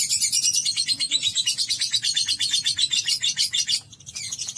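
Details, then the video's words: Lovebird producing ngekek, a long, fast, high chattering trill, for about four seconds before stopping abruptly; a short burst of squeaky notes follows after a brief pause, over a quiet low hum. "Terapi Burung Lovebird Agar Ngekek Panjang"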